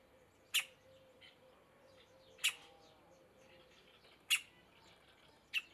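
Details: Young middle spotted woodpecker peering from its tree cavity, giving abrupt high squeaky notes repeated roughly every two seconds, four in all, with faint softer chips between them and a low hum underneath.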